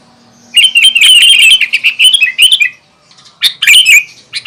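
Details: A lively sooty-headed bulbul sings to provoke other bulbuls: a long tumbling string of sharp, warbling chirps, a brief gap, then a shorter excited burst.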